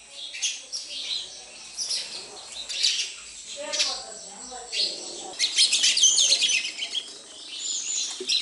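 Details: A group of sparrows at a home chirps in scattered high notes, with faint low voices in between, then breaks into a dense, fast twittering chorus.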